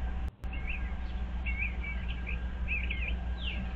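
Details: Eastern bluebirds visiting a birdhouse, 25 February 2023. A string of short, soft warbled notes in small clusters is followed by a falling slur, over a steady low hum.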